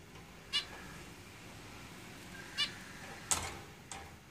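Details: Caged zebra finches give short, nasal, harmonic-rich calls, three or four spaced about two seconds apart, over a low hum.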